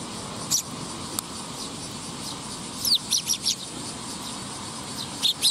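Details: Young sparrow recorded on 20 August 2021, giving short high chirps spaced irregularly through the clip, with a quick cluster of notes near the middle, over a steady low background hum.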